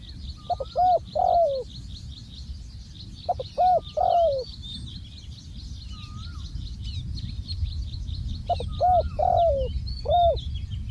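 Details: Spotted dove used as a ground-set decoy during dove decoying: three bursts of deep, hoarse cooing phrases, each a few short notes ending in a long slurred coo, with many thin high chirps from small birds throughout.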